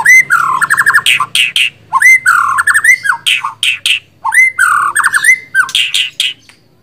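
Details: White-rumped shama giving three similar phrases, each a bright whistle sliding into rapid chattering and harsh squawky notes, close and indoors-sounding.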